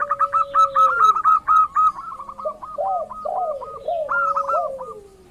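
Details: Local zebra dove, lure to set other doves calling: loud, fast series of short clipped coos, then a sequence of lower bending coo notes that fade toward the end.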